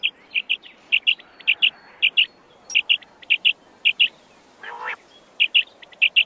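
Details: Wild quail, locally called ligaw na pugo, giving short bright chirping notes, mostly in quick pairs, repeated steadily through the stretch, with one harsher, rasping burst near the middle over faint background hiss.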